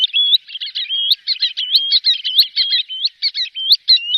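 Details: Green sandpiper calls intended for attracting birds when hunting: a continuous stream of fast, clear, high whistled notes, many with sharp upward flicks, tumbling together without pause.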